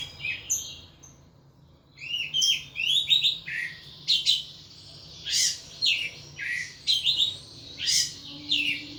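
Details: Caged thrush in intense ngeplong singing: after a quiet start, a string of loud, clear whistled and chirped phrases, each short and sharp, coming about every half second.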